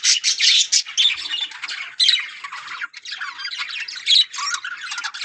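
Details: Breeding colony of yellow budgerigars, Australian parrots, keep up busy chattering: scratchy warbles broken by louder squawks roughly every second, with many birds overlapping.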